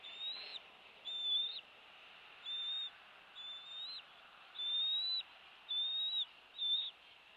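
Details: Bald eagle at a rebuilt nest on Captiva Island, Florida, 2 February 2023 mid-morning, with a chick hatched in January: a series of thin, high, flat whistled notes, each about half a second, repeated roughly every second over faint hiss.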